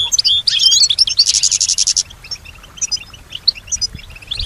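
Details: Domestic European goldfinch that mimics sounds it hears, such as other birds; quick twittering leading into a fast, even trill for about a second, then scattered high chirps.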